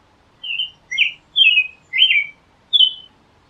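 An American robin sings five clear, warbled phrases, each rising and falling, separated by short pauses; the background is quiet.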